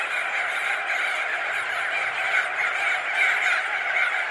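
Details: Thousands of crested auklets, some perched and some wheeling, fill the air with an overlapping wall of honking, clucking calls at steady loudness, a few sharper notes standing out.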